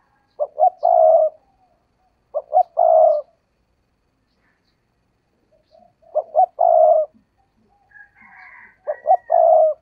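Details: Spotted dove kept as a decoy bird, giving low, hoarse, throaty coo phrases of two or three quick notes that end in a drawn-out coo. Three phrases come at intervals of about two to three seconds. A faint higher chirp is heard near the end.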